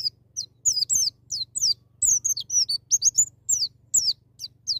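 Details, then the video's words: White-eye singing in the "ngalas nembak" wild style, used to prompt a young bird to sing: dense run of high, thin, sharply descending whistled notes, closely packed and nearly continuous, with a faint low hum beneath. "BURUNG PLECI NGALAS NEMBAK,MEMICU PLECI BAHAN CEPAT NGALAS BUKA PARUH"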